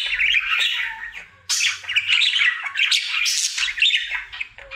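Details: A pet budgerigar, a happy male singing his daily routine indoors: a continuous chattering warble of scratchy chirps, squawks and short whistles with a brief lower whistled note, dense and unbroken apart from a pause near the middle.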